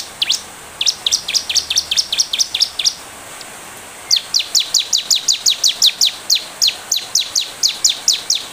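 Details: Bar-winged prinia in energetic song, offered as a lure to make prinias answer quickly. Two long runs of steeply falling, piercing chips at a fast even pace, separated by a one-second gap.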